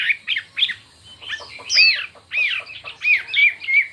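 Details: Chinese hwamei in a singing contest, delivering a varied, fiery song in many voices: bursts of slurred whistled notes and rising and falling arcs, separated by short pauses.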